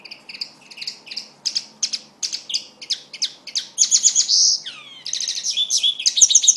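A common linnet sings a fast, varied twitter of high chirps, with a buzzy trill and a down-slurred note midway, about four notes a second.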